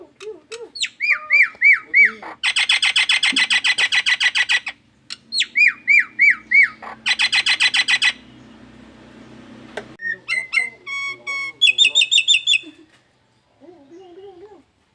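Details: Nias hill myna mimicking an anti-theft burglar alarm: loud rising whistles alternate with rapid, harsh pulsed bursts repeated several times a second, with faint voices in the background.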